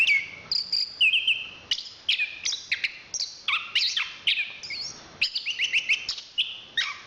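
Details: Chestnut-capped thrush, a national champion songbird, singing a fast medley of whistled, slurred and trilled phrases, some rising and some falling, with sharp clicks between them and almost no pause.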